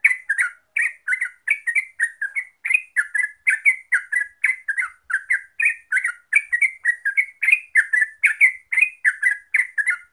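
Yellow-vented bulbul giving a steady stream of bubbly, chortling notes, about three per second, mid-pitched with thin high ticks riding above.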